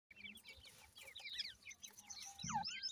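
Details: Many francolin chicks peeping together, a dense overlapping chorus of high, thin, downslurred chirps repeated rapidly, with a few lower notes and a brief low thump near the end.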